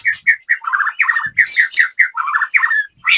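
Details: Caged white-rumped shama from Banyumas, Central Java, singing a quick sequence of short rich warbled notes, repeated chirps and slurred phrases, with faint low background noise.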